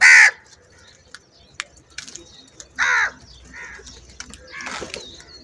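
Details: Crows in a large group fighting over food; loud harsh caws break out at the start and again near three seconds, with softer distant caws and faint chirps from other birds in between.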